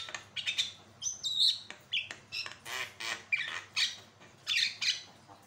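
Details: Javan myna in full voice, a caged tutor bird for teaching and prompting song: loud grating squawks and chattering notes with a few clear whistles, delivered in quick uneven bursts.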